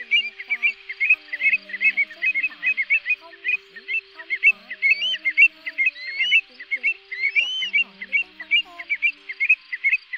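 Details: Many greater sand plovers in a calling flock, recorded as a night lure for net trapping during the August 2024 migration: crowded, jumbled clear whistled chips and hooked notes with a few drawn-out rising whistles above a faint steady hum.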